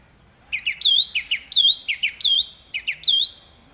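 A song thrush repeats one bright phrase four times, about once a second: two quick high chirps, then a slurred whistled note. The background is quiet.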